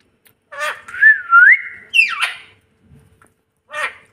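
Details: Parrot giving a clear wavering whistle that rises at its end, a short scratchy downward squawk, a quiet pause, then one last brief squeaky note.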